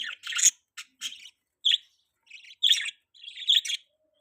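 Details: Baby budgerigar, a pet, chirping: short scratchy high notes and buzzy chattering phrases in irregular bursts, with brief silences between.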